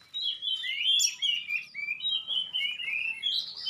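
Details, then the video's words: Clear, flowing whistles from a magpie-robin whose sharp, clean song sets other magpie-robins answering; smooth sliding notes run continuously, with one brief bright peak near the start. "suara tembakan tajam juga suara jernih bikin kacer lain langsung respon ngobra"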